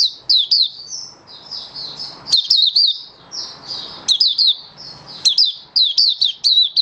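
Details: Malaysian Oriental white-eye in song, soft high warbled notes interrupted by emphatic bursts of sharp, downward-slurring chirps every second or so.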